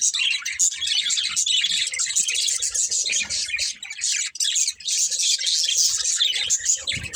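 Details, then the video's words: Several pet budgerigars chatter together in a dense, continuous high-pitched warble of twittering chirps and squeaks, with brief quieter dips near the middle and faint lower tones underneath. "Cute Budgies Chirping Sounds"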